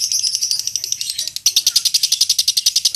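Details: Lovebird chattering on a mastering recording for contest training: a continuous high twittering that turns into a fast, even stutter of sharp notes, about seven a second.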